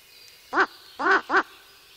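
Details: Ural owl disturbed by a person close to the nest, giving three hoarse, barking calls in quick succession, the middle one slightly longer, over quiet ambient noise.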